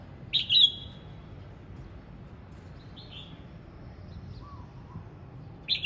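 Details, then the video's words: Red-whiskered bulbul practising its song, two short clear warbled bursts about five seconds apart with a soft faint note between, set against quiet low rumbling background noise. "Chào mào hót luyện giọng"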